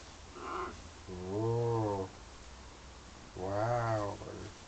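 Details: Pet parrot indoors in London, flirting with its own mirror image and with birds outside the window: two drawn-out, low, moaning calls, each arching up and down with rich harmonics, about two seconds apart, in a quiet room.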